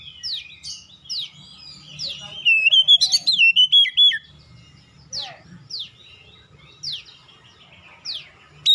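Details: Magpie-robin lure song, played to provoke other magpie-robins into answering and singing within seconds: sharp downward-swept whistles, then a run of rapid warbled, wavering notes in the middle, then more spaced, slurred sweeps, with faint low rumble beneath.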